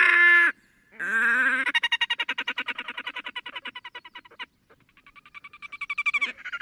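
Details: Red-necked Grebes fighting and in courtship display give a loud nasal wail that breaks into a long, rapid, stuttering trill, with a second rising chatter after a brief pause.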